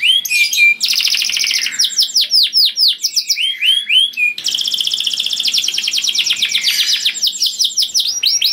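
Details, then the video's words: Loud, tuneful canary song meant to lure other canaries: varied phrases of fast buzzy trills alternate with rising and falling whistled swoops, followed by a long rolling trill of rapid repeated notes. "Burung Kenari Bunyi Gacor Merdu dan Keras Cocok Sekali Untuk Pancing Kenari Lain || Voice of Canary"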